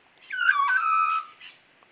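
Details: Wild Australian magpie waiting for breakfast and coaxed to sing first, giving a single loud, slurred descending note, rich in harmonics, lasting about a second, followed by a fainter short note; a man's voice nearby.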